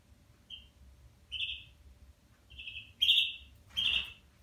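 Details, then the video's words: Red factor canary sings five short, bright, high phrases, each under half a second, in a loose irregular series, the last two loudest, over a faint low hum; song played to teach young birds to sing. "تغريد كناري لتعليم الفراخ على الغناء"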